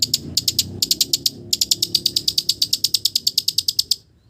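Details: Long-tailed shrike song copying village birds: a fast, dry rattling series of high, evenly repeated notes, about twenty-five in a continuous chattering run that stops abruptly.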